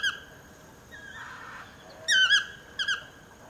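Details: A toucan calls from just below a house. A faint drawn-out note comes first, then two loud, ringing yelps close together, each bending downward, over quiet background hiss.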